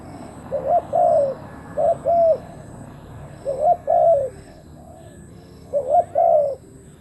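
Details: Spotted dove used as a decoy to attract wild doves, repeating a three-part cooing phrase, a quick lead note and two mellow arched coos, about every two seconds with quiet gaps between.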